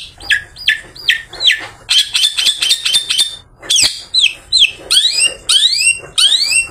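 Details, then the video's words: After bathing, a long-tailed shrike sings to draw other shrikes in the afternoon; opens with four falling whistled notes, then a rapid buzzy rattle, a harsh burst, and repeated rising slurred whistles. "Burung Pented Habis Mandi Bikin Seger || Cocok Buat Pancingan Pented Sore Hari"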